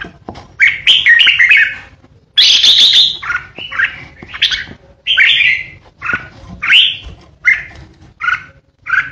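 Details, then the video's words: Decoy red-whiskered bulbul delivering ché song: rapid bubbling warbles, a loud raspy chattering burst, then a steady series of short whistled phrases about once a second. "Chào mào mồi hót ché đỉnh | Red-whiskered Bulbul | นกปรอดหัวโขน"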